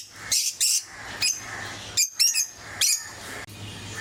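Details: Pet lovebirds of various mutations giving scattered, shrill, high squeaks and short chirps spaced apart, against a faint low background hum.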